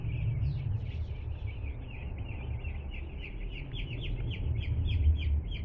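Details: Two-day-old chickens peep rapidly after arriving at a home, bright descending chirps tumbling over each other roughly three or four per second, with loud low rumble underneath.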